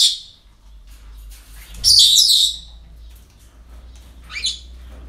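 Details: Parrots at a breeding centre on an ordinary day: a loud, harsh, hissing screech lasting about half a second, followed later by a shorter rasping call, over a low background hum.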